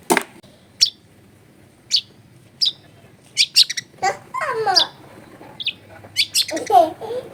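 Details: Long-tailed shrike recorded at home in a crowded area as a lure for a silent bird: isolated sharp clicks and ticks spaced about a second apart, then a burst of harsh, wavering, chattering notes.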